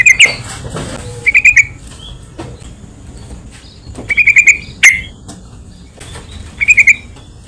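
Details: Yellow-vented bulbul song for luring and stirring other bulbuls: repeated bubbly bursts of four or five quick liquid notes every couple of seconds, with one loud sharp chip and faint thin whistles between.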